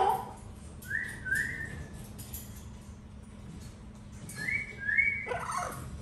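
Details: Pet parrot whistling the Happy Birthday tune: two pairs of clear, mid-pitched whistled notes, each sliding up and then held, with a quiet gap between the pairs. A low steady hum and faint room sounds lie beneath.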